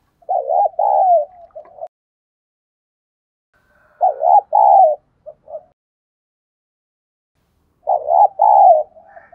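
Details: Decoy spotted dove for provoking and training new birds, cooing in three separated phrases, each a quick double note followed by a drawn-out coo, spaced roughly four seconds apart with silence between.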